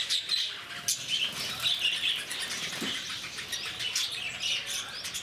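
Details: Noisy lovebirds in a Bannerghatta Zoo enclosure near Bangalore produce rapid, piercing chirps and harsh squawks, overlapping in quick bursts with faint fluttering in the background.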